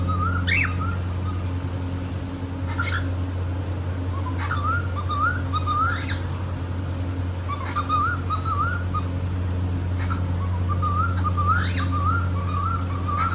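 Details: Singing pet cockatiel in India, one of a couple, happy and playing: bubbly warbled whistle runs repeating every few seconds, punctuated by bright upward chirps, low hum throughout.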